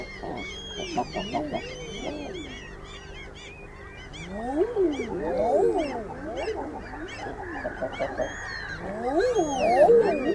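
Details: Common eider group: a chorus of swooping low calls that build in the second half, many birds overlapping, while sharper, higher cries of other birds chatter above throughout.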